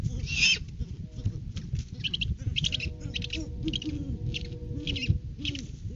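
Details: Great horned owl pair in courting season at the nest tree on 9 January, male bringing a rodent food gift to the female, give soft, low hoots and short bent notes over a steady low rumble with crackling rustle.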